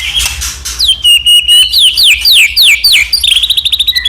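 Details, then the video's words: White-rumped shama song to provoke others into singing: a harsh note, then a series of loud sweeping downslurred whistles, ending in a rapid high trill. "murai batu gacor AMPUH buat PANCINGAN murai batu agar bunyi"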